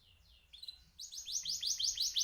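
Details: Male canary singing; high, thin notes open the phrase, then a fast rolling trill of repeated bright descending notes, about eight per second, building in loudness toward the end.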